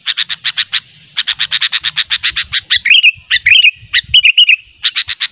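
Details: Sooty-headed bulbul used as a natural lure call to draw a rival: a rapid series of sharp chip notes, then short bubbling warbled phrases, then more chips, with steady high hum in the background.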